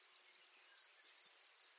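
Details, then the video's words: Baird's sparrow: a brief high introductory note, a pause, then a rapid, even trill of alternating high and slightly lower sharp notes. "Baird's Sparrow Bird Sound"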